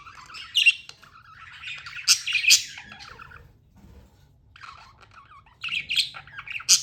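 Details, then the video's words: Budgerigar warbling softly then louder scratchy chirps, a quiet gap in the middle before another burst of squeaky chatter. "Amazing budgie chirping sounds"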